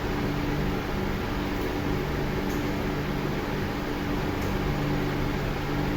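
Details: Constant electrical hum, like a fan or air conditioner in a small room, with no animal voices.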